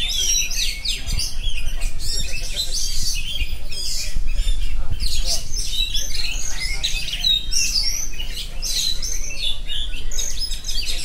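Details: Continuous ngerol song from an oriental magpie-robin, with bursts of sharp whistles, squeaky notes and fast twittering packed close together, a few low knocks underneath and faint human voices in the background.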